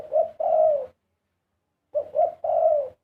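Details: Dove in full karam song, two mellow low phrases each opening with short coos and closing with a long, smooth, falling coo.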